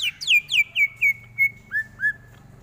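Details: Greater green leafbird, kept for training other birds: a series of eight clear whistled notes, the early ones sweeping down steeply and the later ones softer and lower, each about a quarter second apart, over a faint low hum.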